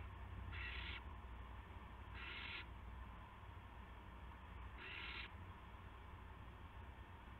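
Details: An owl at 8:00 PM on March 18 2016, with a gopher brought in as prey, gives three rough, breathy screeches of similar length, the last after a pause of over two seconds, with a droning hum beneath.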